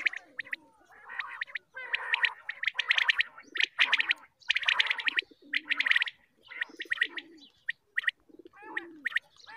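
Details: Morning calling of a quail group, used for hunting: overlapping bursts of fast, bright, repeated notes mixed with lower purring trills, in clusters separated by short pauses.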